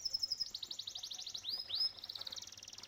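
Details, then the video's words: Canary in song near a koi pond, delivering a rapid rolling trill of high notes, two upswept whistles, then another fast trill, loud and close with little background. "Relaxing Canary Bird Singing and Koi Pond sounds | Canto de Canario y Sonido de Estangue Koi"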